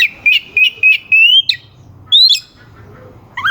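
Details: Oriental magpie-robin song to provoke rival birds into singing: four clear whistled notes in steady series, a long rising whistle, then a sharp upslurred whistle after a pause.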